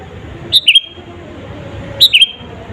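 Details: Sooty-headed bulbul singing vigorously, used as a lure to provoke rival birds: two short bubbly phrases of quick, clear notes dipping and levelling, about one and a half seconds apart, over a low background hum.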